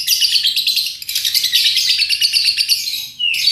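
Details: Lovebird 'paud' song used to lure birds into singing: unbroken, rapid high-pitched chattering and squeaks, dipping briefly near the end before a sharp rising note restarts it.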